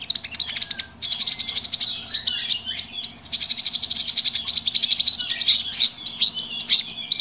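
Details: Noisy mix of small birds used as a lure for trapping small birds: a dense, continuous chorus of high, scratchy chirps and twitters, briefly dropping away near the start before resuming at full intensity.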